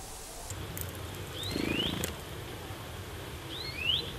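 Hawfinch giving two thin, high, sharply sliding calls about two seconds apart over a low background rumble.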